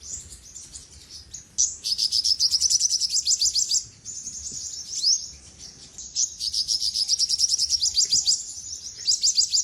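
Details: Song of an olive-backed sunbird (sogok ontong) used as a training recording: long, very high, rattling trills of quick repeated notes, broken by brief pauses and a few upward sweeps.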